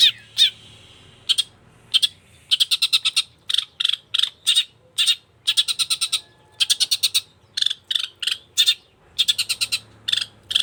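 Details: Long-tailed shrike singing energetically: loud harsh buzzy bursts delivered in quick rhythmic runs of four to six, separated by short pauses, with a few sharp whistled notes at the start.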